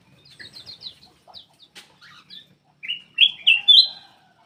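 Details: Black-crested bulbul singing, played to coax reluctant birds into song: scattered soft chirps first, then three loud, clear whistled notes near the end, each rising slightly.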